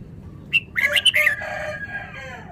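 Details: Caged red-whiskered bulbul, described as Vietnamese, gives a short rapid run of clear warbled notes that blends into a harsh, banded sound fading out.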